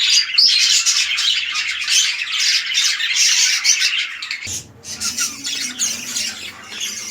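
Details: Breeding red-eyed lutino budgies in captivity; loud scratchy squawking chatter for four seconds, then a brief drop and softer continued chirping over a low background rumble.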